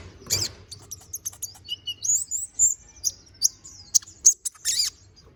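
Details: Vigorous konin bird song, full of varied phrases and meant for tutoring magpie-robins. Chattering high-pitched trills and sliding whistles come in quick successive bursts over quiet low background noise.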